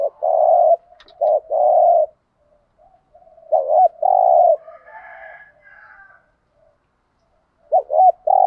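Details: Spotted dove, male and female, cooing in the rural style used to provoke and lure wild males; low, mellow coos in paired and grouped phrases separated by pauses of one to two seconds, with a faint softer note between.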